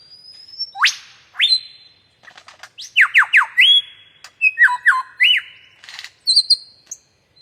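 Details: Superb lyrebird calling: a varied run of loud whistled notes, sharp upward sweeps and rapid rising slurs in quick succession, with brief clicks and chips between phrases, in a quiet setting.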